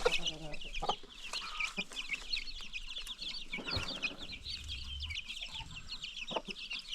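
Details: Free-range farm chickens with new baby chicks: a constant chorus of high thin peeping from many chicks, with occasional low clucks and scattered knocks and rustles.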